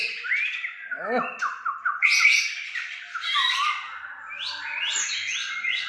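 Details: Fierce Aceh white-rumped shama in full song: harsh scratchy notes and a rapid descending chatter, then loud rich whistled phrases rising and falling, with human voices nearby.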